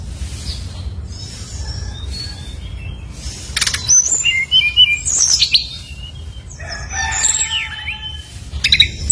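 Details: Brown-chested jungle flycatcher singing as a lure to trigger other birds: soft scattered whistles at first, then louder bursts of quick chirps and twisting whistled notes toward the end, over a quiet low hum.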